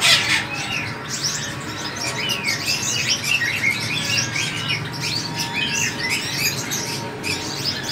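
A sunbird gives a rapid, jumbled stream of thin, high twittering notes and chips, with other small birds chattering in the background.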